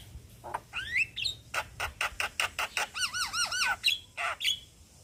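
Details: Male Javan myna calling young companions with a mix of rising whistled slurs, a steady series of harsh clicking notes, then three repeated arched whistles and a final squeaky note.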